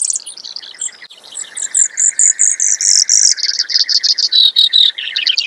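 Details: Brewer's sparrow song: a few scattered high notes, then a steady series of loud, very high buzzy notes about four per second, dropping to a lower faster trill at the close.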